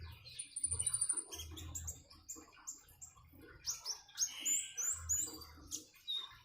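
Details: Common iora singing beside gurgling water, a busy string of sharp high whistles, thin upslurred notes and buzzy chirps, with loud bursts near the end.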